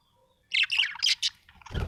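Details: Happy budgerigar chirping in a fast, bright chattering burst of high warbled notes and squeaks, ending with a low thud and rustle.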